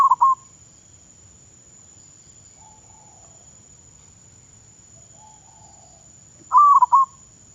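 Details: Decoy-trained zebra dove in Thailand: the end of one stuttered coo opens the recording, then quiet with soft murmurs, and a second full wavering cooed phrase follows near the end.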